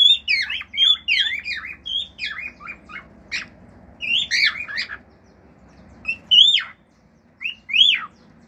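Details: Singing male cockatiel kept as a pet, its natural song including mimicry: rapid chirping whistled notes in bursts, then a couple of loud rising whistles after a short gap.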